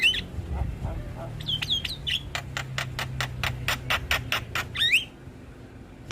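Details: Javan myna song used as a lure for mynas that have stopped singing: upslurred whistles, then a fast regular train of harsh clicking rasps, ending in more whistles.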